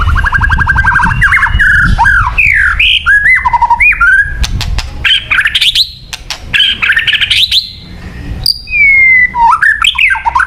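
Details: Song of a white-rumped shama meant for luring birds: rich mix of buzzy trills, swooping whistles and rapid clicks, loud and continuous, ending in rising and falling whistled phrases.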